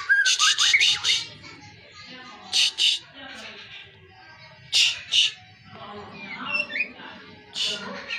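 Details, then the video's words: White-rumped shama song: short harsh high chattering bursts alternating with brief slurred whistles, the bursts returning every two to three seconds against a quiet background. "BURUNG MURAI BATU FULL ISIAN"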